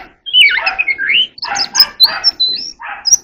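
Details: Ornamental magpie-robin practising its song: harsh, grating notes mixed with short high whistles, given in quick uneven phrases.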